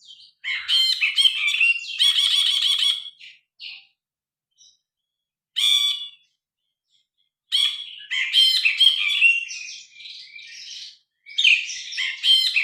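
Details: Phone recording of a grey-cheeked bulbul singing hard, unaltered: repeated loud bursts of harsh, rattling chatter and buzzy notes, some brief and some sustained, with short silent gaps, ending in further scratchy phrases.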